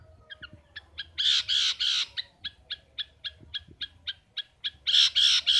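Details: Caged long-tailed shrike (pentet, cendet) singing vigorously (gacor). Loud harsh grating bursts alternate with a quick run of thin repeated chirps, and the harsh bursts return at the end.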